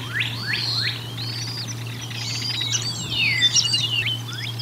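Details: Bald eagles during a feeding at the Decorah North nest on 1 April 2022: three quick falling chips, then overlapping high whistled slurs and squeals, over a low steady hum.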